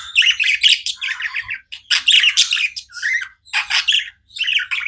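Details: Pet budgerigars chirp in loud, scratchy bursts of warbling chatter with buzzy rolling notes, each burst under a second, with short pauses between them.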